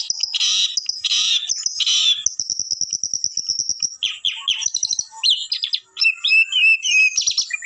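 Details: Long-tailed shrike singing: harsh buzzy bursts, then a thin sustained high trill, then quick varied chirps and slurred whistles in irregular sequence.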